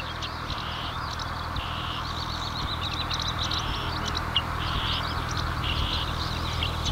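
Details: Marsh warbler song from Lippetal, Germany, morning of 3 June 2021, camera-recorded: rapid, varied high twitters broken by short buzzy bursts, running continuously over a persistent low mechanical drone.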